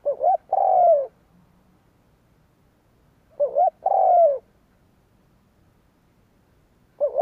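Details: Luring wild doves, a spotted dove repeats its loud coo phrase about every three and a half seconds: two clipped rising notes, then a drawn-out falling coo, with the start of a third phrase.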